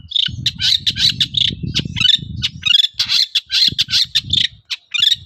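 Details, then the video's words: Lure song of a long-tailed shrike in full voice, played so other shrikes answer: dense, chattering, harsh notes tumbling almost without pause, with low rumbling noise underneath through much of the stretch. "BANYAK CENDET NYAUT MENDENGAR SUARA BURUNG CENDET GACOR INI"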